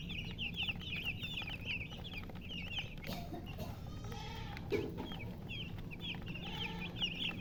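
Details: Chicks with a colored hen chirp in quick high, falling peeps in loose bursts. A brief rustling scratch breaks in midway, with low background hum throughout.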